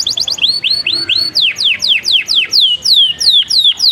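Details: Canary singing a bright, high, whistled song in distinct tours: a quick chattering burst, then a run of upward-hooked notes, then clear falling sweeps repeated about four times a second, each phrase crisp and evenly spaced against a quiet background.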